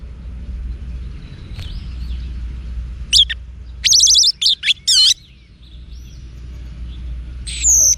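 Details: Orange-headed thrush (anis merah) singing in its wiksar style, used to train cage birds: after a quiet start, a burst of high, sharp whistled and buzzy notes with rapid slurred phrases, then a final short whistle, over low steady hum.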